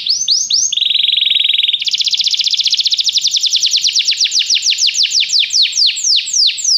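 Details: Canary training song to make a canary start singing: a few swooping notes, then a low buzzy trill, then a long high rapid roll that gradually slows into separate descending sweeps.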